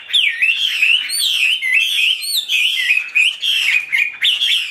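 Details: Tamed caged Chinese hwamei singing a continuous, loud run of bright whistled notes that swoop up and down, with quick slurred phrases following one another without pause.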